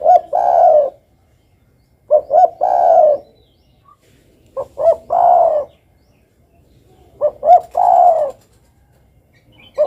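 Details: Spotted dove cooing steadily, about four phrases at intervals of two to three seconds. Each is two quick notes leading into a longer mellow coo that slides downward. A new phrase begins at the end.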